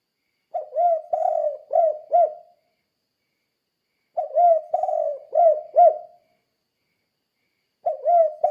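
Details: Spotted dove giving the "kuk 2" coo pattern meant to make other doves sing too: three phrases of gentle low coos, short, long, then two clipped arched notes, spaced by roughly three-second silences.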